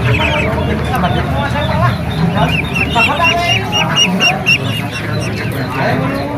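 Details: Ducklings calling at an animal market: a burst of rapid, high, looping peeps in the middle stretch, amid scattered chirps from many birds and a busy, rumbling crowd-and-motor background.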